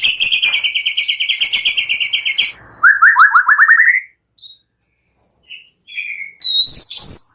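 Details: White-rumped shama in full, lively song, used to provoke other shamas into singing, with cililin and prenjak-style phrases: a long fast buzzy trill of stacked notes, then a rising run of quick chirps, then scattered thin whistles.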